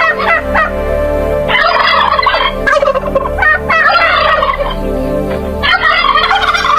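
Turkeys gobble in loud, rapid, bubbling bursts, several overlapping in quick succession, with a steady low hum underneath.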